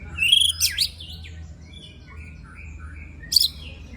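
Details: White-rumped shama (murai batu) in a rough-fill training recording of 'tembakan' and 'besetan', meant to stir other shamas: a high whistle, steep swooping slurs, then soft, thin warbled notes and a brief sharp burst at the end, over low hum.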